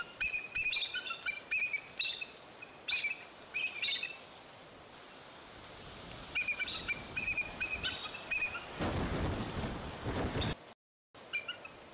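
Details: Bald eagle at Fraser Point, 04-10-2019, as eaglets fall from the nest and an adult returns; squeaky piping chirps come in quick bursts during the first eight seconds, then rain-like rushing noise takes over before a brief dropout.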